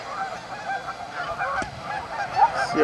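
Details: Steady honking from a crowd of Canada geese at the Amber Trails Lake staging area in Winnipeg, with a few sharper, nearer calls toward the finish.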